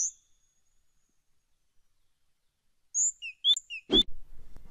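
A Great Tit gives a brief run of high, thin notes that alternate between higher and lower pitches after a long silence. A dull knock interrupts them.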